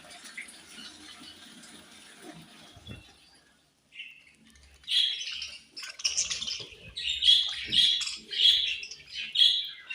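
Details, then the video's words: Pet budgerigars chirping in the morning: after about five seconds of faint background hiss, a run of bright, high chirps and short warbled notes comes in quick bursts, roughly one every half second, growing louder toward the end. "My Budgies Morning Sweet Chirping Sounds"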